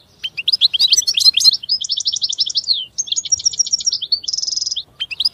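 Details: Continuous European goldfinch song, an unbroken flow of tinkling, twittering notes with quick buzzy trills and a short nasal buzzing phrase near the end, all high-pitched and rapid.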